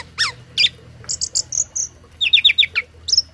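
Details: Tame Asian pied starling, a bird used as a singing tutor for other birds, giving a varied run of short chirps, sharp high whistled notes and quick clusters of rising and falling notes separated by brief pauses.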